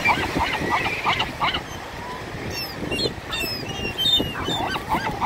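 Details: Gulls fighting over chips: harsh repeated nasal squawks, about three a second, with thin high squeals mixed in, over a rumbling outdoor background.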